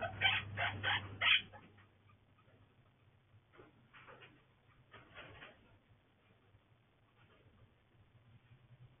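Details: A green Quaker parrot opens with four loud, harsh squawks in quick succession. Softer, scratchy calls follow at spaced intervals, and a faint low hum runs underneath.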